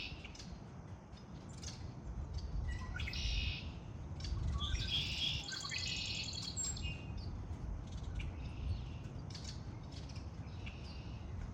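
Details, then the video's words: Birds in spring giving scattered short chirps and one fuller twittering phrase in the middle, separated by quieter gaps, against a steady low background rumble. "آوای آرامش بخش پرندگان در بهار(Relaxing with the sound of birds)"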